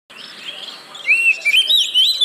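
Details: Oriental magpie-robin song used as a lure to make reluctant caged birds sing: thin whistled notes near the start, then louder clear slurred whistles and warbles in bursts.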